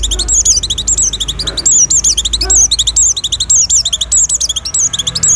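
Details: A breeding-condition Oriental white-eye pours out a rapid, high-pitched warble meant to attract others of its kind. Bright, chirping, down-slurred notes tumble continuously over a soft low rumble.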